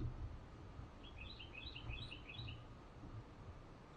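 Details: Carolina wrens at a patio nest, an adult feeding its young on bugs, filmed with a GoPro; a quick run of high, paired chirps repeats about ten times a second for roughly two seconds over a steady low rumble.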